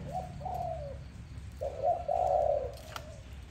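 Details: A dove calling in the morning: two short soft coos, a pause, then one longer, louder, sustained coo.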